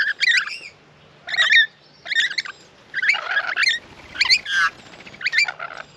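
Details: Many rainbow lorikeets queue up at a backyard bird bath in Australia. They give harsh, screechy squawks in short bursts about once a second, several birds overlapping in a noisy flock chorus.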